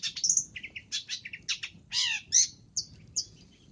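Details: Long-tailed shrike sound used for luring: a rapid jumble of varied chattering and squeaky notes, some harsh and some whistled, over about four seconds.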